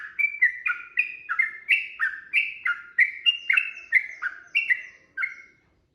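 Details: A sooty-headed bulbul delivers lively whistled phrases meant to goad a rival into replying; slurred, descending paired notes follow one another quickly, then the song stops abruptly near the end.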